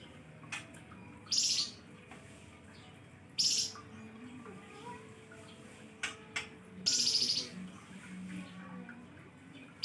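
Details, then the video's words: Flamboyan bird singing a hot, piercing lure song: short high shrill bursts repeated at intervals of two to three seconds, with a few sharp clicks between and low background murmur. "flamboyan kicau nembak pedes#pancingan Burung Flamboyan"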